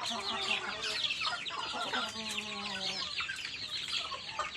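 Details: Baby chickens peeping while they eat: a dense chorus of short high chirps, many overlapping, with a few lower, steadier tones running underneath.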